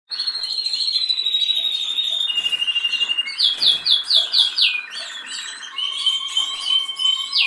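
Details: Canary (Serinus canaria) sings a long, bright song of rapid trills and rolling phrases, shifting between high whistled notes and fast repeated chips.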